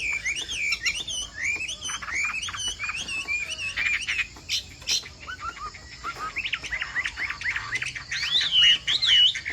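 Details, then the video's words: Chinese hwamei, a bird called Hoạ Mi Bộ Tam Hoàng, sings a steady run of clear, looping whistled phrases, rising and falling and repeated almost twice a second, with short sharp notes in between and a louder warbled burst near the end. "Hoạ Mi Bộ Tam Hoàng Giọng Hót Rả Rích Như Tiếng Mưa Nghe Thư Giãn/ Tiếng chim hoạ mi hót giọng hay"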